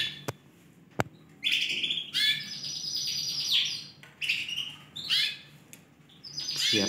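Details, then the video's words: Yorkshire canary song from a group of four Romeo FOI coloured cage birds in Indonesia, recorded 20 December 2020: a couple of sharp clicks, then bursts of shrill rapid trills and chattering phrases broken by brief silences. "4 Ekor KENARI YORKSHIRE warna ROMEO FOI GACOR"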